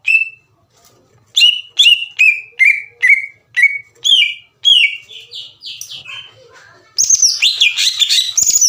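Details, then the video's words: Green leafbird song intended to trigger rival birds into singing: a string of evenly spaced falling whistles, then softer slurred notes, ending in a loud rapid chattering warble. "MASTERAN DAN PANCINGAN CUCAK IJO LAMBAT PANAS UNTUK MEMICU EMOSI LAWAN AGAR GACOR"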